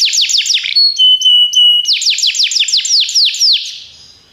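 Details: Belgian canary song used for training: a quick trill of descending notes, then three pure held whistles, then a longer rolling trill of falling notes that fades out at the end.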